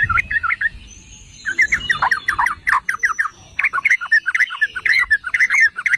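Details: Yellow-vented bulbul (merbah cerukcuk) song used as a provocation for other bulbuls: a short chattering phrase, a second-long pause, then repeated bursts of gurgling, slurred notes.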